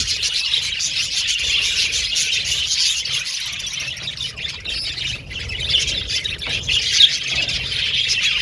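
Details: Budgerigars in an aviary colony chattering together, a dense continuous wash of high chirps, warbles and squawks overlapping with no pauses, steady throughout with a brief dip near the middle.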